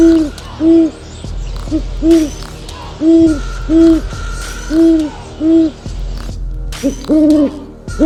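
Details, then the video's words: Spaced owl hoots, about thirty-five a minute, single and double notes of even, arched pitch, with a faint musical drone and brief pauses between calls. "Som da Coruja - Sons da Coruja"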